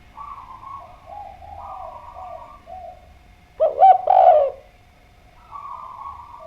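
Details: Spotted dove singing actively, one loud throaty coo phrase of rolling, downward-curving notes in mid-clip, with softer, more distant cooing before and after and a steady faint hum in the background.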